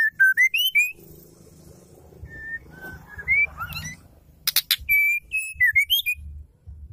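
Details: Female Oriental magpie-robin singing, a sound used to rouse males: rapid bright whistled phrases of rising slurs, quieter mixed notes in the middle, a burst of clicks, then more level and rising whistles.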